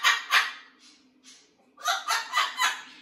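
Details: Blue-and-gold macaw settling into a new flock at a parrot rescue, giving raspy, gobbling syllables in two bursts: a pair of loud rough notes, softer fragments, then four quick harsh notes in a row.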